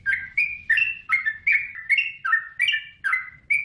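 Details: Yellow-vented bulbul in full song: bright, slurred liquid notes, some rising and some dropping, repeated about two and a half times a second in a bouncy, uneven rhythm.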